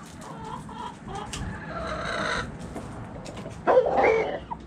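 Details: Backyard chickens in the coop: soft clucks, then a rooster's loud, hoarse crow rising sharply near the end.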